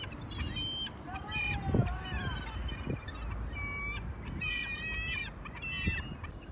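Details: Gulls at Choshi port, Japan, on 11 March: several overlapping harsh, nasal calls, some drawn-out and downslurred, in irregular bursts over steady low rumbling harbour noise.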